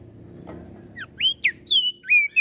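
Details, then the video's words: Crested white-eye of Flores singing to provoke other birds: after a low hum, several loud whistles, short upsweeps followed by longer, level, slightly falling notes. "Opior Jambul flores Gacor Bikin Emosi Burung Yang Dengar Pasti Langsung Ribut"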